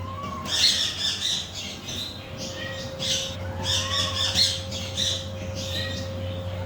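A macaw gives a run of harsh, raspy squawks in quick bursts, some with a rising note, over a steady electrical hum.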